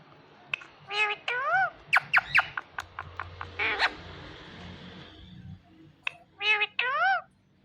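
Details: Talking Indian ringneck parrot giving harmonic, wavering voice-like calls in short bursts, broken by clicks and rapid ticking notes, over a steady background hiss, with a final pair of drawn-out warbled calls.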